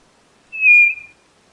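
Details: White-bellied nothura giving a lone pure whistle of about half a second that stays at a steady pitch and trails off softly.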